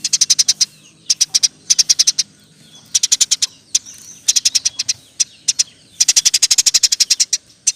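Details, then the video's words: Eurasian tree sparrow singing 'roll tembak' style, recorded for tutoring other songbirds: repeated volleys of six to twelve rapid, piercing high chirps separated by brief pauses, ending in a long dense run. "Burung gereja gacor. Roll tembak pas untuk masteran"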